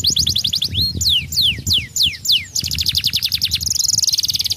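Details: Rapid high chips, then slower descending whistled swoops and a fast dense trill that levels into a sustained buzzy tone, sung by a young canary.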